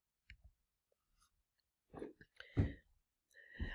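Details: Quiet clicks, breaths and soft human voice sounds separated by long silences, with no animal calls.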